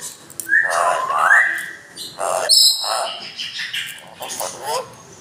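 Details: A talking Amazon parrot recites the Islamic creed (Kalima, "La ilaha illallah, Muhammad rasulullah") in a raspy, speech-like voice, with a few gliding whistled phrases mixed into short bursts of imitated words.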